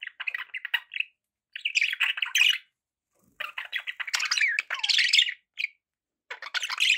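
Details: Continuous budgerigar chatter, buzzy warbled phrases with squawks and rising-falling chirps, broken by brief pauses.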